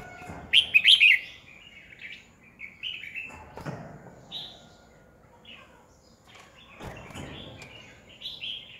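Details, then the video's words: Red-whiskered bulbul used as a lure bird to make other bulbuls sing, 2020: one loud burst of bright chirped whistles, then softer, spaced whistled notes with faint rustles. "Chào mào mồi cực hay khi luyện giọng ép bổi sổ bọng"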